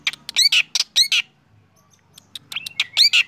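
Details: In the morning a black drongo sings energetically: clusters of loud, harsh, scratchy notes, a short pause, then more rasps mixed with a clear held whistle.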